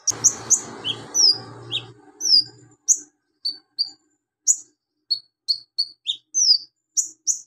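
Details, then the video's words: Energetic song of a Javan magpie-robin packed with imitations of lovebird, golden grasshopper and cricket, recorded to teach other birds: high ringing chips and downward-sweeping whistles delivered in uneven bursts, a low hum fading in the first seconds. "KONIN GACOR NGOBRA ISIAN BELALANG EMAS LOVEBIRD CILILIN BUAT MASTERAN"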